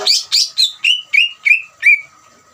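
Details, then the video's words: Greater green leafbird delivering a ngeriwik trill used to spur other leafbirds to sing: seven loud notes in quick succession, the first harsh and high, the later ones clearer whistles sliding downward. "CUCAK IJO NGERIWIK COCOK UNTUK MANCING CUCAK IJO BAHAN BIAR EMOSI DAN RAJIN BUNYI"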